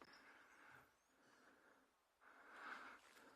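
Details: A family flock of Arrow-marked Babblers near a drainage line at Djuma, Sabi Sands, South Africa, on a cloudy afternoon, 18 May 2022, gives harsh, scratchy chattering that fades, pauses, then swells into a raucous churring chorus.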